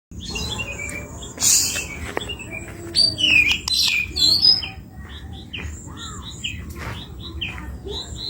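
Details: White-rumped shama singing vigorously with a highly varied song, used as a lure to get other birds singing; scattered high whistles and chirps, some loud bursts around three to four seconds, over a steady low background hum.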